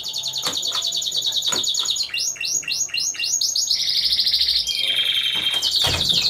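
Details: Timbrado Español canaries in a team-of-four class at a song contest, November 2015: fast metallic trills, then a series of rising slurred notes repeated rapidly, a steady buzzing roll, and a sharp upward sweep.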